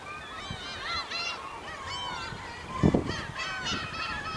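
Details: Chorus of more than a hundred Black-tailed gulls at a Hokkaido port, Japan, August 2010: dense overlapping nasal, arched mewing cries from many birds, with a brief low thump near the end.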